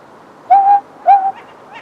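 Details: Tawny owl hooting in a garden in Yate after dark, around 6 pm on the first day of winter, as a wild owl answers a captive tawny: two clear, steady hoots about half a second apart, each slightly rising then level, with a fainter third after.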